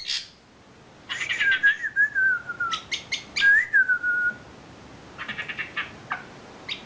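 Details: Isian filler song of a champion wambi bird: clear whistled notes gliding downward in two long phrases, framed by dry clicking chirps and scattered short calls.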